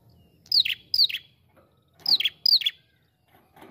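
Ashy prinia giving sharp, high, downslurred chirps in quick pairs, two doublets about one and a half seconds apart, with a quiet low background.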